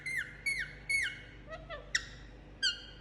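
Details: Pet Indian ringneck parakeet during a head massage, giving three evenly spaced downslurred chirps, then a softer low warble and two sharp squeaky notes, against a quiet hum.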